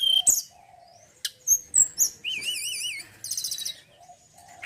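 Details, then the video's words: Male mountain forktail song with sharp high whistles, a wavering warbled phrase, a rapid buzzy trill and soft lower notes, delivered in separate bursts. "TLEDEKAN GUNUNG JANTAN YANG BAGUS KICAUANNYA"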